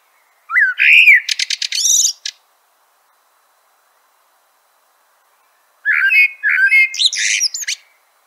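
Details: Two song phrases from a common blackbird, each a brief low fluty note followed by a loud, rapid series of squeaky high twitters, separated by a long silence.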